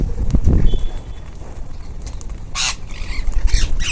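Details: Ringneck parakeets feeding as a group; one loud, harsh screech stands out in the middle, with scattered rasping notes and low, scuffling background noise.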